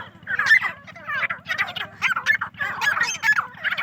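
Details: Farm-raised partridges in a crowded chorus, rough squawking and gobbling-like phrases tumbling over one another in uneven bursts about every second, over a constant low droning hum.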